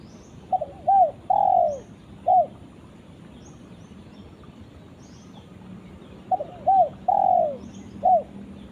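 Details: Spotted dove calling to its companion, giving the same cooing phrase twice about six seconds apart: short stuttering coos, a longer drooping coo, then a single clipped note. Distant high bird chirps between.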